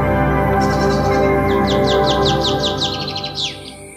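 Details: A buff-breasted paradise kingfisher (Tanysiptera sylvia), a migrant, calls at its nest in rainforest on the Ivan Evans rainforest walk, Bayview Heights, Cairns, giving a quick run of about a dozen high, downslurred chirps in three seconds over background music.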